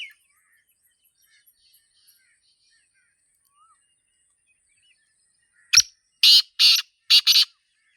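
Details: Black francolin, locally Sindhi Teetar, calling in the wild in a natural setting: after near silence, one loud harsh grating phrase near the end, a sharp click followed by four rasping, buzzy bursts in about a second and a half.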